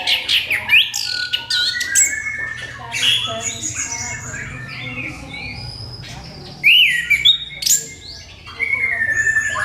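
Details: Orange-headed thrush lure song for provoking other birds to sing: sharp rising whistles, clipped notes and varied warbling phrases in loud bursts separated by brief quieter gaps.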